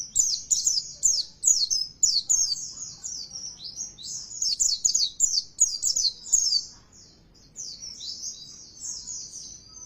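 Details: Oriental white-eye singing a lure song intended to provoke rival singing: dense, rapid series of high, sharply slurred chirps running for several seconds, easing into softer, thinner trills toward the end.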